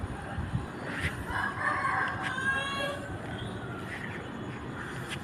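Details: Chicken rooster crowing on an early morning in a residential subdivision in Iloilo City, Philippines: a drawn-out, rasping crow of about two seconds over steady outdoor hiss, with sharp distant knocks or dog barks around it.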